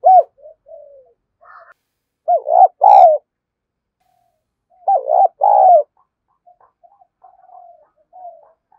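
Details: Cooing spotted dove used to lure others: two strong phrases of clipped notes swelling into a broad, sliding coo, separated by near silence and faint soft murmurs.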